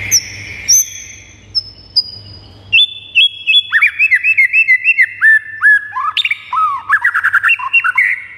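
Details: White-rumped shama song played to make pet shamas fired up and singing: a few high thin whistles, then a lively stream of loud, clipped whistled phrases stepping up and down, with a faint low hum beneath.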